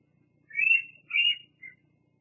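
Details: At Fraser Point, a female bald eagle stops at the nest on a July 2022 evening to preen and rest, filmed by a nest live camera: two drawn-out, slightly squealing high notes followed by a short third note, in a quiet setting.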